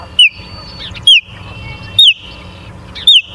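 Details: Osprey calling at the nest in Charlo, Montana, 24 August 2023, 17:43: four shrill downward-slurred whistles, roughly one per second, over a low steady hum.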